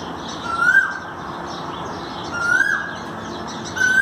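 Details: Asian koel, 5 May 2019: three clear upslurred whistles spaced about 1.5 seconds apart, each short and rising at the end, with a steady low rumble of background noise.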